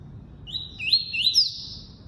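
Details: Tuí-tuí style song of a double-collared seedeater, a single drawn-out high whistled phrase built from two or three upward-slurred notes that run into a level, slightly falling tone, with faint low rumble behind.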